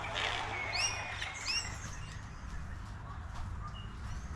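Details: Eastern Whipbird giving quick, sharply rising whistled sweeps in the first two seconds, then fainter scattered chirps from other birds over a low hum; morning bird walk at Samford Eco-corridor near Brisbane, Australia.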